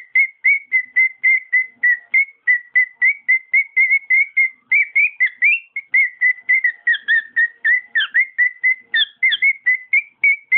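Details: Cockatiel kept as a pet whistling a long, fast series of some forty notes, with higher rising and falling slurs woven in toward the end.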